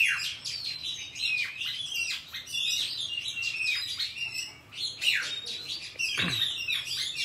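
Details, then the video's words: Oriental magpie-robin singing a wild forest-style song, recorded for training young birds: rich, fast run of high whistles, sweeping slurs and chattering notes, nearly continuous, with a brief low downward note near the end. "Chòe than hót giọng rừng cực phê"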